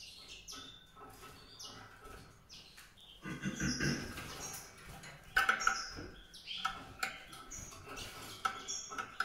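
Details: White-rumped seedeater singing high chirps and fast trills, with a brief low rustling noise partway through, then clipped, repeated notes toward the end.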